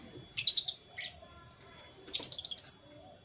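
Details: Canaries chirping in the morning: two lively bursts of rapid, high, twittering notes separated by a short single chirp, with a quiet background.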